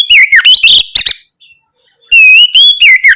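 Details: Oriental magpie-robin song used as a lure to stir young birds into answering: loud varied whistled phrases with rich sweeping notes and harsh buzzy elements, a brief quiet gap, then another bright warbling burst.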